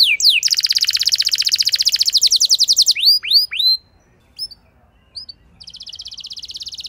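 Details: Canary; song; lure to prompt another canary to sing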